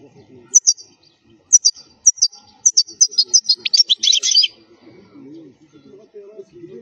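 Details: European goldfinch singing, a wild-type song used for teaching young goldfinches to sing: a few high twittering notes, then a fast rising run of buzzy, tinkling phrases lasting about two seconds, with faint low rustling beneath.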